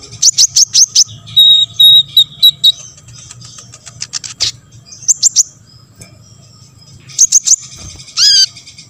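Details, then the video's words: Olive-backed sunbird, a lively singer played so other sunbirds answer and sing, giving fast bursts of high chirps, a short even whistled trill, more clipped chirp series, and a final sharp descending note. "KONIN GACOR BONGKAR MATERI"YG LAIN AUTO BONGKAR"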